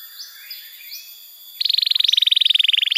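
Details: Canary song used to prompt young birds and silent canaries into singing: faint high notes at first, then a loud rapid rattling trill starts halfway through and runs steadily to the end.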